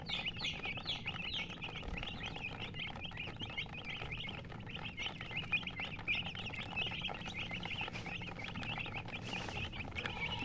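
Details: Colored chickens chirp continuously for about ten seconds, a steady stream of bright, short, slurred peeps from several birds, with light background noise.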